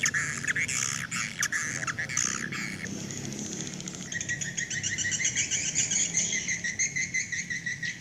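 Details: Swiftlets calling the flock home, a lure sound for a swiftlet house: harsh overlapping twitters give way after four seconds to a steady run of quick, even chirps repeated several times a second, over a faint low hum.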